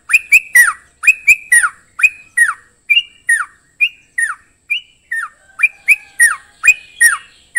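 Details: Yellow-vented Bulbul singing bright, bubbly notes that slur sharply downward, in quick bursts about every half second, with sharp clicks between.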